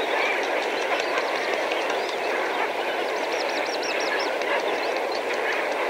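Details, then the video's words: Medium-range chorus from a flock of several thousand Lesser Flamingos, steady nasal honking and chatter, overlaid by a quick series of sharp, high, repeated notes from another bird partway through. "Lesser Flamingo / MP Flock Calls From Several Thousand."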